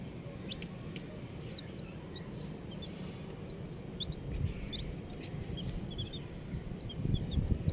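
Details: Colourful chicks chirping: clusters of high, arched, slightly wavering peeps from several birds, growing denser toward the end, against a low rumbling background.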